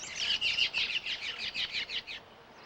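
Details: A mated pair of Abert's towhees in a desert cottonwood-willow forest give the squeal duet made when they join each other: about ten rapid, high, squeaky, chattering notes tumbling together over two seconds, then fading into quiet.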